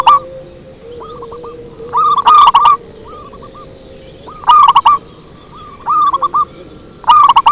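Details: Zebra dove lure song, repeated phrases of quick, bubbling coos about every two seconds, each opening with a loud distorted note, with quieter coo runs between them and a faint low hum.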